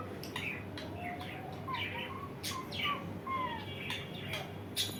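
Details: Indian ringneck parakeet kept as a pet, uttering short chirps and clipped whistled notes every half second or so, some sliding downward, between sharp clicks, over steady low room hum.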